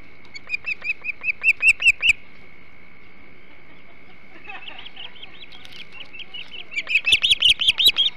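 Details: Hog Island ospreys feeding on a big flounder at their nest, morning of 21 July 2016: a series of whistled chirps growing louder, a pause with only a steady hum, softer notes, then another loud chirping run.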